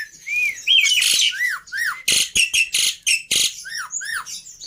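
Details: Black-winged myna in a pancingan and masteran with full isian for birds to copy: arched whistled slurs and downward swoops broken by loud harsh buzzy bursts in a quick irregular sequence.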